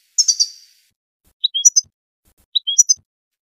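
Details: European goldfinch from Tunisia: a harsh scratchy triple twitter, then twice a phrase of a falling slurred note followed by two quick high chirps, about a second apart.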